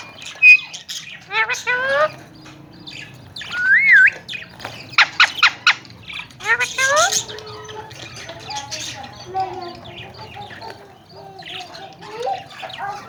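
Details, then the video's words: Tame, talking Alexandrine parakeets in Pakistan, healthy and active, let out harsh, grating squawks alongside a looping whistle and stretches of raspy, speech-like chatter, with quieter birds calling behind them. "Talking and tame alexander kashmiri raw parrots"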